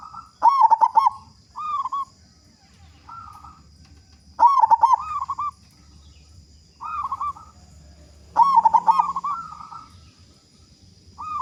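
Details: Loud local zebra dove, singing freely, used to coax other doves into song: three loud staccato-and-rolling coo phrases about four seconds apart, each answered by softer coos.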